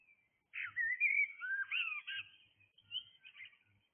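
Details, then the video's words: Blackbird singing at dawn: one long, melodious phrase of looping whistled notes that slide up and down, ending in softer twittering, with faint low background hum. "Blackbird singing"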